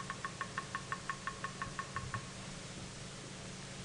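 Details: Bearded woodpecker knocking on wood at sunrise in Sabi Sand, near Kruger Park, South Africa, in August: about a dozen sharp taps, roughly six per second, slowing and fading after two seconds, over a low engine hum.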